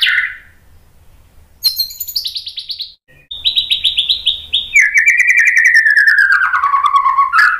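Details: White-rumped shama singing agitatedly to provoke rival males, a varied phrase of rapid high trills dropping into a long, loud, slurred warble that slides gradually downward, with a faint low hum underneath.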